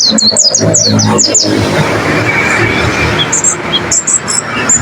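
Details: Pleci (white-eye) training song for caged birds: rapid high-pitched chirps and short descending whistles, about two or three per second for the first second and a half. A steady rushing background noise follows, with scattered high chirps returning near the end.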